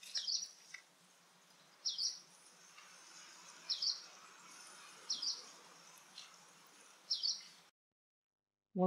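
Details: A late-autumn migrant Hume's Leaf Warbler in the UK gives its call, distinct from yellow-browed warbler's: five short, high, slightly slurred notes about every two seconds over a faint low hum, with a voice cutting in at the end.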